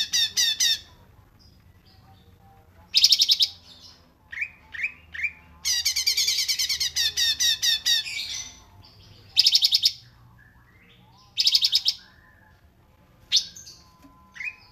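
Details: Cungkok song recording intended as training material for other songbirds, isian style: bursts of fast buzzy high trills alternating with short whistled downslurred notes and a longer rattling trill in the middle, pauses between phrases.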